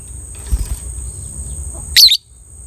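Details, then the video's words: Lovebird, described as a beautifully coloured 'biola' bird, played to raise other lovebirds' breeding drive; one loud, harsh, high chirp lasting a fraction of a second after soft rustling, with a steady high electrical hum behind. "DIJAMIN LOVE BIRD ANDA BAKALAN NGEKEK PANJANG SETELAH DENGAR SUARA INI"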